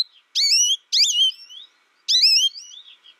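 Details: American goldfinch reared alone and learning song from a recording gives three drawn-out, sweeping wavy notes, each about half a second long with trailing softer tails, separated by brief pauses.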